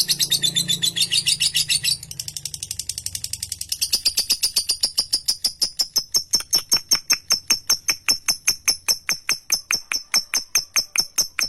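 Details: Ngekek song of a lovebird, a long trill recorded as a master for training birds: high chatter with low murmuring at first, then clear sharp rattling pulses repeated at an even, slightly slowing pace.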